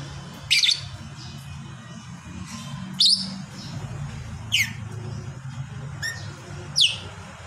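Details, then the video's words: Sleeping lovebird giving single sharp high chirps roughly every one to two seconds, with a low droning background hum. "burung Lovebird gacor || bunyi sambil tidur"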